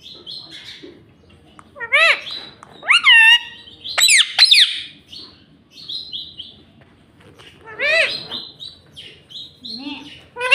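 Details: Talking pet parrot saying "mummy" and "mitthu": bursts of harmonic, speech-like syllables with rising and falling pitch, spaced a second or two apart, mixed with short high squeaks.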